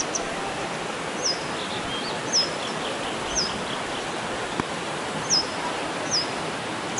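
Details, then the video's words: A grey wagtail gives sharp, high, clipped 'tzit' calls, singly about every second or so, over the steady rush of running water. "노랑할미새/Grey wagtail"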